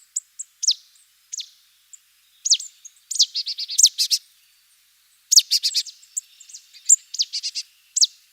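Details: Marsh tit (Poecile palustris) on a wooded estate with ponds at Château de Lorge, Côtes-d'Armor, France, calling: thin, high single notes, then quick rattling runs of sharp, slightly buzzy notes.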